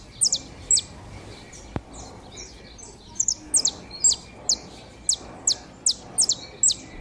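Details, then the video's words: Pair of saffron finches (canário da terra) warming up (esquenta) together: sharp, high downslurred chips given in quick irregular runs, roughly two or three a second, over faint steady background hiss. "casal de canário da terra"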